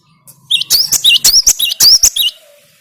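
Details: Cinereous tit (gelatik batu) in lively song used as a lure sound to stir kept tits: a run of about a dozen sharp, high, rising whistled notes in quick pairs, clean and loud against a quiet background.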